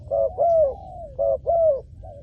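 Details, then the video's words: Spotted dove call played to lure wild doves: low hollow coos, a short note then a longer drawn-out falling coo, repeated twice, with a soft final coo. "#เสียงนกเขาใหญ่ #นกเขาใหญ่ต่อดิน"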